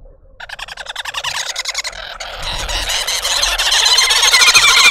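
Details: Red-billed woodhoopoe family in a suburban garden in Pretoria, South Africa, causing a commotion: a raucous chorus of harsh, rapid cackling notes, about three a second, growing louder and denser as more birds join. Green wood hoopoe.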